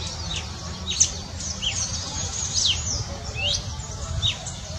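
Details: Red-cowled cardinal filmed at Boa Esperança, Minas Gerais, Brazil: short bright slurred notes, some arching up and down, given in loose sequence over a steady low rumble, with other high chirps overlapping.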